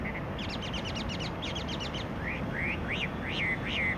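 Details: A Chinese Hwamei at Guia Lighthouse and Fortress, Macau, on 14 April 2020, sings rapid runs of high sweet notes, then slower loud slurred whistles rising and falling, over steady background hum.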